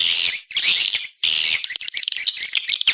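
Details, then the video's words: Swiftlet external sound: loud bursts of raspy, twittering chatter broken by two short silences, then quicker, scattered chirps. "Free Swiftlet External Sounds"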